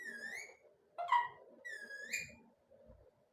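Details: Pet parrot, described as talking non stop: two rising whistles, each bending upward near the end, with a short sharp harsh note between them and a quiet murmur underneath.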